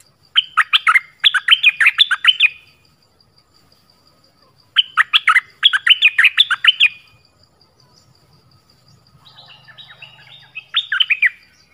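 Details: Song of the nok dok taeng bird in the 'pleng berm' style, used for young birds to learn. Two long runs of rich, bubbling whistled phrases, a pause, then softer twittering and a last short phrase.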